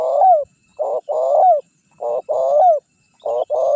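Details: Decoy cooing of a spotted dove, meant to lure wild doves and provoke a rival to answer: paired soft coos, the second longer and falling at its end, repeated in a quick regular rhythm, no other sounds.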